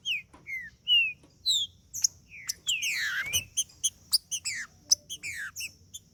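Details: Green-winged saltator in heated song intended to stir a male trinca-ferro. Short whistled slides, a broad buzzy swoop, then spaced crisp chips roughly every third of a second over a low background hum.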